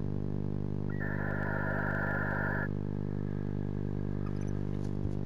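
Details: Barn owl pair in a nest box at 3:16 am on 19 January, greeting each other and mutually grooming; a steady, hissing screech lasts nearly two seconds over a constant low hum.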